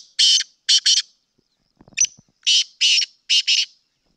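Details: Black francolin of the Sindhi type giving two loud, harsh, grating phrases, each of three or four rasping broadband notes, with a short soft clicking break between them.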